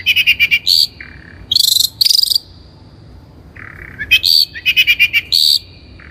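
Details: Long-tailed shrike lure recording for training birds: quick trilled bursts and long harsh buzzy phrases alternating with steady whistled tones, giving an insect-like rasping quality.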